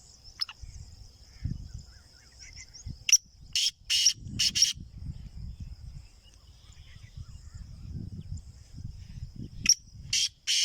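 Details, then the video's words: Black francolin (kala teetar) offered for sale, giving two bursts of four harsh, grating notes, loud and broadband, each series under two seconds, over a steady thin high whine and low rumbling background noise. "Kala Teetar | A Rare Kala Teetar for Sale"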